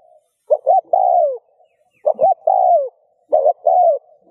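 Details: Spotted dove calling in the rút bổi style meant to spur other doves to coo. Three phrases are heard, each of two short hollow notes leading into a long, smoothly falling coo.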